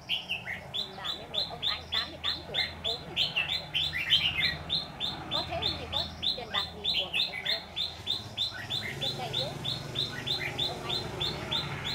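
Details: Red-whiskered bulbul, white-cheeked (Má trắng) type, at a trapping site, giving rival-challenging song as a fast chain of short clear notes, almost four a second, over a background of conversation.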